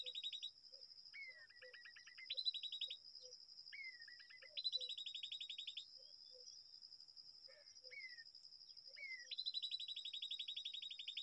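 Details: Babblers at a nest in a date palm. Bursts of rapid harsh chattering notes alternate with short descending slurred calls and soft low notes, all over a steady, high, shrill cricket buzz.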